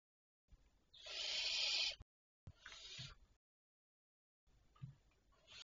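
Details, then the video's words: Barn owls at night, 23 May 2023 at 02:53; a harsh hissing screech lasting about a second, followed after breaks by shorter, rougher rasping bursts, faint and broken by silent gaps. "Chouettes Effraies"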